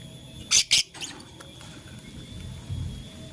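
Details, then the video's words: Lovebird, blue, lutino and green birds, playing with a flower: two sharp high chirps close together, then a faint third, over a low steady room hum. "LoveBird Playing Flower - Chirping Sound"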